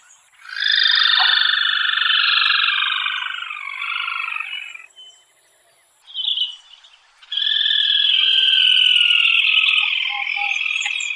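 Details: Unbarred rufous crake, endemic to northern Venezuela and found at ponds and lagoons with wet grass, gives a long, loud, buzzy trill that slowly descends over about four seconds. After a short pause, a brief high note and then a second sustained trill follow.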